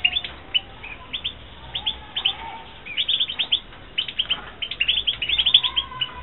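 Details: Captive-bred European goldfinch, Carduelis carduelis, recorded in 2016. A lively, continuous twittering song of bright, short chirps and tinkling notes, tumbling quickly in dense bursts that grow busier toward the end.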